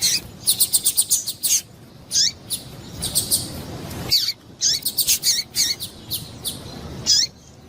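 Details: Female double-collared seedeater calling, a call used to excite males for seedeater contests; rapid clusters of high, sharp chips and short down-slurred notes, bunched in bursts with brief gaps, over faint background hiss.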